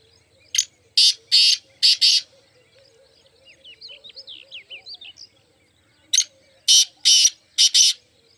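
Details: Black francolins, four birds, repeat a harsh five-note rasping phrase twice; between the phrases a softer run of small high chirps can be heard.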